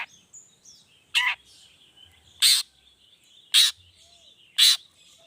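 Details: Long-tailed shrike lure sound, 'toet toet' variation, to coax other shrikes into singing: four abrupt, raspy notes roughly a second apart, with a faint sustained high tone and soft chirps behind.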